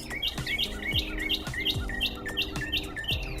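Purple Martin giving quick, gurgling chirps, nearly three per second, over soft background music and low kitchen thumps.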